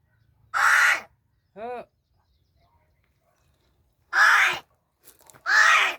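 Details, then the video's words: Talking crow from Gargav, Palghar, said to be angry today and speaking in an unusual voice: three loud, harsh, broad caws, each about half a second, with a short voiced tonal sound between the first two. "गारगाव बोलका कावळा.. आज रागाने वेगळ्याच आवाजात बोलतो..New Vedio Palghar Talking Crow"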